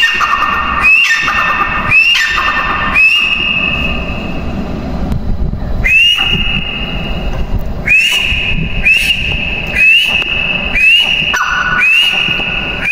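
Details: Grey francolin giving piercing whistled notes with downward-trailing ends, delivered in runs of about one per second, broken by a few seconds' pause filled with low rumbling background noise before the series resumes.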